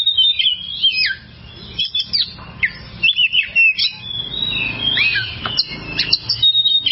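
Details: Oriental magpie-robin in a long practice recording for songbird owners: a loud opening run of whistles, a short lull, then bursts of harsh squeaky notes and downward whistled slurs repeated in quick clusters.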